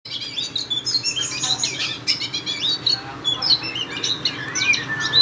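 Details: Oriental magpie-robin singing in the konslet style: a continuous, rich, varied outpouring of whistles, chatters and sharp slurred notes, shifting rapidly in pitch without pause, delivered loudly close by.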